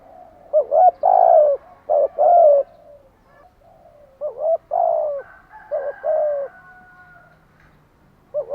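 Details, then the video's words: Morning song of a spotted dove: repeated low coo phrases, each with stuttering short notes leading into longer mellow coos, with a faint thin whistled tone from another source in the middle. "Tiếng chim gáy buổi sáng"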